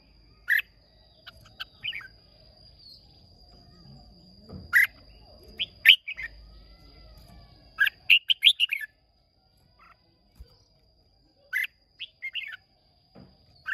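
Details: Singing-contest Red-whiskered bulbul of Hoa Binh origin, Vietnam, 30 May 2023, gives scattered sharp chirps and a dense burst of rapid notes around the middle, with low background rumble and a thin constant high tone.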